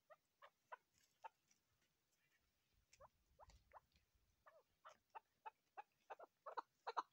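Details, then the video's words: A female chukar partridge, used as a hunting lure, gives short, clucking chuk notes in irregular bursts, speeding into a rapid run near the end; faint low rumble behind. "chakor birds voice awas zirk awaz madi female"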